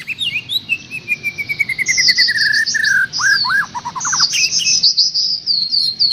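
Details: Trocok garuda training master song: a songbird delivers high slurred whistles, a run of rapid down-slurred chips, and busy warbling phrases over a faint insect-like hiss.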